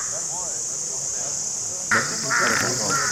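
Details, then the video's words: After almost two seconds of quiet background hiss, crows break into a loud, rough caw followed by a couple of drawn-out, harsh calls, with a constant high whine behind them. "Crow Birds (Ravens) Sounds Crowing: To Attract Crows"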